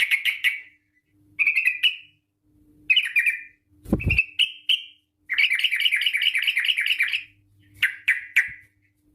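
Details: Sooty-headed bulbul, long rapid lure song meant to set other bulbuls singing: short chirpy notes building into a sustained bubbling, rolling warble, then brief chirps again, with one dull thump midway.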